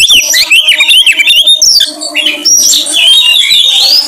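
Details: Oriental magpie-robin singing loudly as a repertoire-drawing lure: rapid, scratchy chattering phrases give way to long, bright wavering whistles, with a quiet tonal hum beneath.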